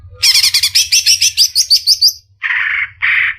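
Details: Energetic 'gacor' song of a greater green leafbird (cucak ijo), recorded in Indonesia as masteran material: about a dozen quick, bright, high notes in steady succession, followed by two harsh, buzzy, lower bursts.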